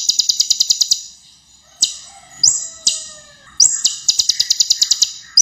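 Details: Ruby-cheeked sunbird (kolibri ninja) recorded as a training model for young songbirds, singing varied sharp 'tembakan' phrases: quick high chip series, separate rising whistled slurs with short gaps, then a long rapid ticking run.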